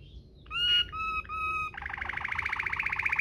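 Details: Waterslager-style canary, recorded as a master song for teaching canaries the 'cengkok mewah' style: a brief high note, three long clear whistled tones, then a rapid pulsing roll that grows louder.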